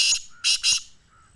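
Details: Black francolin recorded in Sindh, Pakistan: three loud, coarse, scratchy notes in quick succession, the last two close together, followed by a faint thin whistle.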